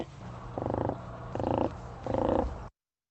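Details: A whooping crane, wintering on the Texas coast, gives its contact call ("hello dear, I'm still here"): three soft, low, purring notes about half a second apart, over a steady low hum.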